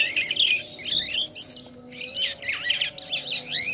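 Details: Jalak kapas starling singing profusely, a fast run of chattering, twisting high notes and short slurred whistles, with brief pauses between phrases; a steady low electrical hum underneath.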